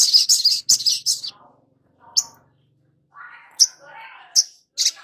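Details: Long-billed spiderhunter lure song for young birds: rapid high buzzy chatter at the start, then isolated sharp chirps over softer, lower warbling notes.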